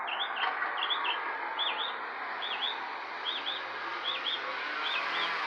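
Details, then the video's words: Birds outside a porch give clear looping whistled chirps, rising then falling, spaced about every half second, over a constant loud background hiss. "Birds Chirping sounds"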